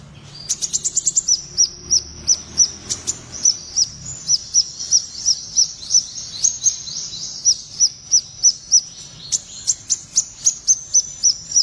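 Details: Blue-tailed minivet kept for song, singing trotol style: a long, fast train of sharp, high chip notes, roughly three per second, broken by brief bursts of scratchy chatter, with light low hum throughout.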